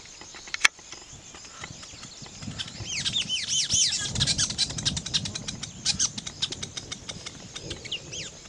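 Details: Weaver bird calling during nest building: a burst of quick, high chirps with rapid rising and falling sweeps, growing into dense chattering, with a sharp click near the start and soft low rustling.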